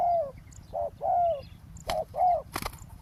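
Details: Spotted dove lured during roadside ground trapping, cooing in short-long pairs of soft rolling notes, with sharp clicks or knocks breaking in near the end and a low background rumble.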